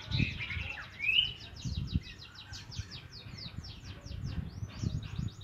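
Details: A young Javan munia learning to sing gives a fast run of thin, high, buzzy chirps, several per second, over low thumping and rumbling noise.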